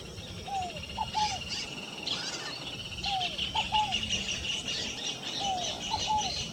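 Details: Scaled dove (rolinha fogo-apagou) song: three low three-note phrases, one downslurred coo and two quick notes, repeated roughly every two and a half seconds beneath busy high chirping from other birds.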